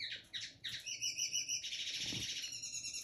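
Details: Early song of a 2022 linnet hybrid: a few fast twittered notes give way to a sustained, rapidly pulsing buzzy trill, loud and close, over a faint background hum.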